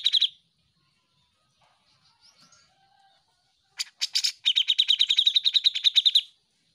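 A grey-cheeked bulbul gives a loud, high chattering burst, a brief pause, then a rapid run of about twenty sharp, even notes over two seconds.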